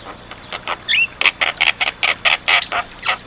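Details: Javan myna in energetic song: a steady run of short, rasping, squawky notes delivered about three per second, with one brief whistled slur near the start.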